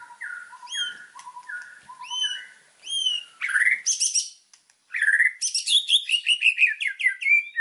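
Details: Lively white-rumped shama song used for training birds: clear short whistles with high upward flicks repeated at steady intervals, then dense bursts of fast high chatter and twittering.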